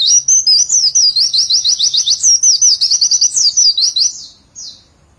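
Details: Caged white-eye singing a long, tight burst: high sharp whistled notes, then a fast rattling trill of even repeated chips at about three per second, twisting slurred phrases, ending with a short fading note.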